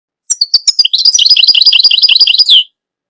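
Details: European goldfinch singing: a quick run of high, tinkling twitters and short buzzy notes that rise into a rapid, liquid warble lasting about two seconds before stopping abruptly.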